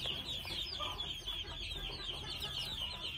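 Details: Brief burst of busy, high-pitched cheeping from red junglefowl chicks two months old, many small downward-slurred notes overlapping.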